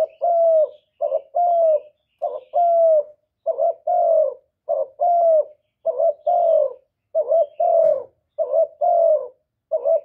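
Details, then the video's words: Spotted dove, recorded in Vietnam without background noise, cooing to excite other doves. A long, rhythmic series of deep two-part phrases, each a clipped note followed by a smooth, slightly falling coo, about eight phrases in a row. "CU ĐẤT GÁY GỌI CHIÊU GÙ, thúc kèm kích bổi hay, chim cu đất gù"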